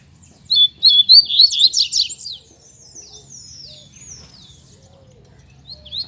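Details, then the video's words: Pet double-collared seedeaters (coleiros) singing in captivity, their improved performance credited to good care: a fast burst of sharp whistled and buzzy notes for about two seconds, then softer scattered twitters and a faint hum. "OLHA O DESEMPRENHO DOS MEUS COLEIROS"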